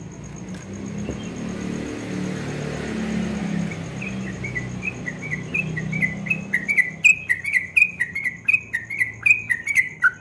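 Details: Yellow-vented bulbul singing in the rapid ropel style at dawn. After about four seconds of low background hum, short bright chirped notes begin, quiet at first and then louder and sharper, repeated about twice per second.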